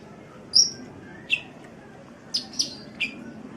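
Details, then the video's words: Sunbird, recorded as a training call for cage birds: sharp, high chirps repeated at uneven intervals, one bright note followed by a cluster of four short, squeaky notes over a steady low background hum. "Masteran Suara Kolibri"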